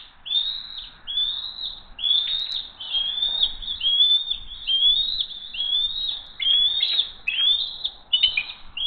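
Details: High piping chatter from the Hays bald eagle family at dinnertime, June 22, 2023: a long, almost continuous string of sharp whistled chirps, each note rising then dropping, rolling on for nearly nine seconds.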